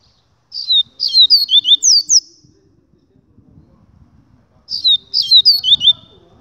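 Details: Two rapid phrases of sharp, high, falling whistles from a double-collared seedeater, each lasting over a second, with a faint low rumbling in the background between and under them.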